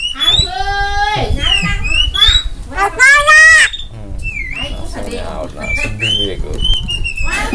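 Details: Black-winged myna master song: varied harmonic whistles, long steady tones and rising squeals, a loud burst near the middle, with background chatter and noise throughout.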